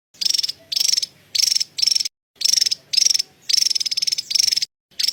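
Javan tesia giving high, dry chattering bursts of rapid ticking notes, each about half a second long, repeated with short pauses between them.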